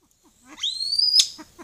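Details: A male silver pheasant recorded by a camera trap gives one thin, high whistle that slides upward, holds steady, then ends in a sharp burst, against a quiet background.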